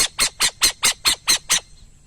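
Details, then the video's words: Burrowing owl giving a rapid series of harsh, raspy screeching notes, about five per second, eight in a row before stopping abruptly, with faint low rumble behind. "som de pássaro a coruja de buraco"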